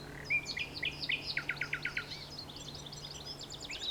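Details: Singing common nightingale delivers a rising whistle, then a rapid series of sharp, evenly repeated chopped notes that run into high, varied twittering phrases, with only a faint low hum behind.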